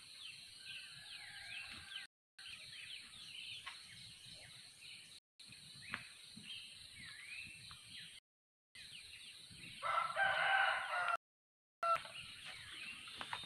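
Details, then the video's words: Yellow-vented bulbul singing actively: a short burst of loud, bubbly whistled notes near the end, set against a constant hiss and a dense background of faint high chirps from other birds or insects. "Trucuk termewah suaranya paling di cari"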